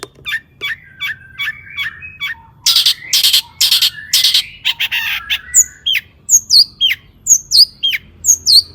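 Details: Long-tailed shrike (cendet) in full mimicry-laden song, played as a lure to stir other shrikes into singing: a run of short downslurred notes, then harsh buzzy broadband bursts, then sharp high downslurred whistles at a brisk pace.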